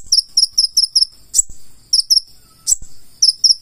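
A purple-throated sunbird sings very high, thin, sharp chirps in quick runs of four or five, with short pauses between runs; two sharp clicks break in.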